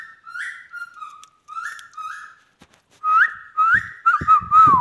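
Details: Indian ringneck parrot kept as a talking pet gives soft level whistles at first. These grow louder into rising and wavering whistled notes, with some low rustling underneath.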